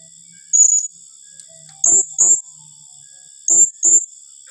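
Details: Serindit, or blue-crowned hanging parrot, calling in the 'tembakan rapat' style: one thin, high, slightly drawn note, then two tight pairs of shrill squeaks about a second and a half apart, with steady high hiss behind.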